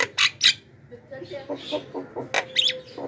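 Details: Loud lure screech of a Javan myna for attracting wild birds: two sharp rasping bursts open, followed by a string of short nasal notes and another pair of harsh squawks with a brief whistle.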